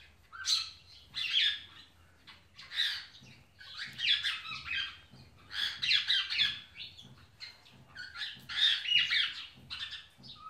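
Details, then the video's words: Pet Indian ringneck parakeet greeting an African grey parrot and showing affection: harsh, loud squawks in clustered bursts, each burst a rapid string of raspy notes, about every second, with short quiet gaps between groups. "Indian Ringneck Greet African Grey Parrot"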